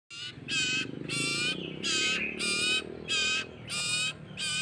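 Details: Common iora chick being hand-fed by a person gives harsh, buzzy, rasping calls in a steady series, roughly one every half second, each a broad grating burst; low background rumble underneath.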